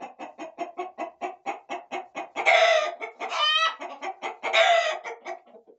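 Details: Roosters and hens in a corral: steady rhythmic clucking about three per second, broken by loud harsh squawks and a rising stepped cackle midway.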